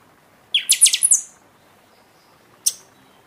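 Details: Caged-bird stimulation song of the buffy-fronted seedeater after moult: one quick phrase of a buzzy low start and five bright, very high whistled strokes, then a lone sharp high chip about a second and a half later.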